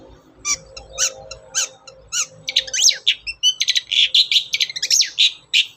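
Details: Long-tailed shrike, a lure recording to make caged birds sing, giving a busy run of sharp high chirps and squeaky notes that speed up into dense, scratchy phrases in the second half, with faint low hum indoors.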